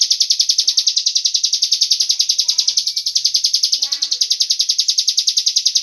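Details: Cigun bird call played as a lure to get other birds singing: a steady, rapid, buzzy pulsed trill, high-pitched and unbroken, about eight pulses a second throughout, with faint low clicks and chirps beneath.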